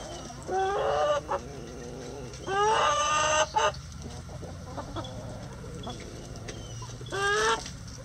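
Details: Chickens in a coop, being fed black soldier fly larvae for an early-morning breakfast, give three loud, harmonic, drawn-out calls that rise then slide down. The calls come near the start, in the middle and near the end, with quieter clucks and rustling between them.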